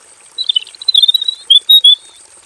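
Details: Male robin in a simple aviary, mid-way through long, full song. A chattering twitter runs into three sustained, clear whistled notes in quick succession. A constant high, faint whine is heard behind it.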